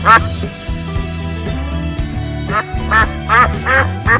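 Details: A domestic pet duck gives one nasal quack, then after a pause a quick run of five rasping quacks, about three per second, over steady background music.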